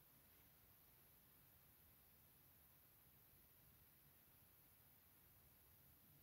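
Near silence with only a faint, even background hiss, and no animal voice.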